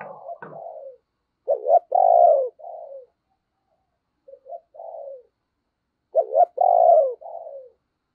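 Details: Decoy spotted dove cooing to call in wild doves: two loud phrases, each a short rising note followed by a long falling hoarse coo and a softer trailing note, separated by quieter low coos.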